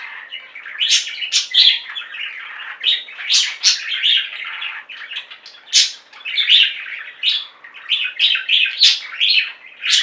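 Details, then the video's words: Budgies singing as a flock indoors: rhythmic bursts of sharp chirps and squeaks over a low continuous warble, spiky high notes repeating about every half second. "Most Beautiful Budgie songs Ever: Budgies singing and chirping"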